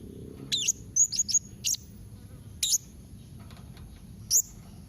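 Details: Blue-crowned hanging parrot with a mixed calling sequence to coax a reply: high, shrill squeaks, some sliding downward, given singly and in a quick cluster of three, with gaps of about a second.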